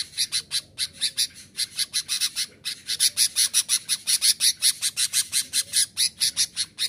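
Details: Sooty-headed bulbul singing persistently to provoke wild rival bulbuls and lure them in: a rapid run of sharp, bright chirps, roughly four per second, with short gaps near the start and no other clear sounds.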